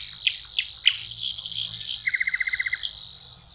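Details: Nightingale song recorded by a lake in spring, May: faint sharp notes over a hissy background, then a fast even rattle of about a dozen clipped notes and a final high flick.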